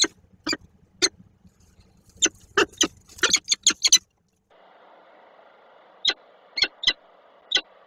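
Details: Peregrine falcons at a nest box in Koszalin on 10 October 2024, a pair meeting inside. Loud, harsh, broadband bursts with scraping and rustling give way to a brief hum and then four short, sharp calls.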